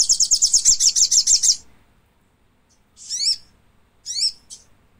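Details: Thick-billed spiderhunter calling: a rapid series of about a dozen high, sharp chattering notes for a second and a half, then a pause and two separate squeaky, sweeping notes with descending tails.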